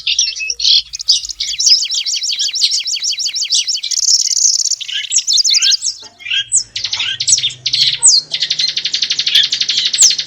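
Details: Long-tailed shrike singing in its natural habitat: a varied, rapid medley of scratchy repeated notes, trills and buzzy phrases, shifting style every second or two, with a low hum underneath.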